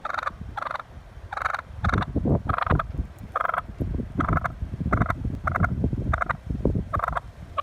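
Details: Wild turkey honking and squawking while chasing a car: loud, nasal, harmonic honks repeat in quick bursts about every half second, over a heavy low rumble of engine and road noise.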